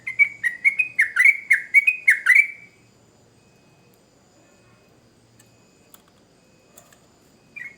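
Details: Sooty-headed bulbul singing hard as a training lure: a fast run of about a dozen sharp, bright chattering notes over two and a half seconds, then near silence with a few faint clicks and a short note at the end.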